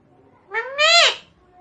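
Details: Indian parrot, a pet bird said to talk and imitate Hindi words, giving one short drawn-out call with rich harmonics that climbs in pitch, then a louder second part that swells and breaks off, with a quiet room behind.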